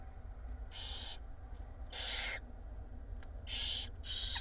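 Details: Five barn owl nestlings in an Israeli nest box, fed by their mother during the night in April 2021, give three drawn-out rasping hisses, each about half a second, spaced roughly a second apart.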